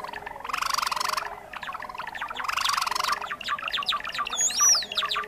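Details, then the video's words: Java sparrow trapping lure, a species of rice paddies and fields: two harsh rasping bursts followed by rapid clicking chips and one looping high whistle at the end. "SUARA PIKAT BURUNG GELATIK JAWA"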